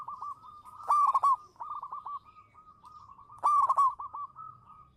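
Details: Champion local zebra dove (perkutut lokal) lure bird singing manggung: loud trilled coo phrases about two and a half seconds apart, linked by groups of softer repeated cooing notes.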